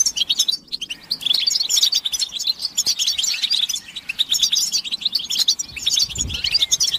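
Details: European goldfinch group chatter, mating and readiness calls played to make males sing without pause: continuous high, jingling twittering from many birds, busy and overlapping throughout, with a faint low rumble toward the end.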